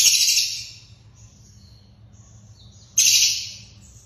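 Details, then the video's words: Long-tailed shrike recorded as training material for captive birds: two loud, harsh, buzzy bursts about three seconds apart, each fading over half a second, with faint thin whistles between and a low hum beneath. "MASTERAN SUWARA BURUNG CENDET"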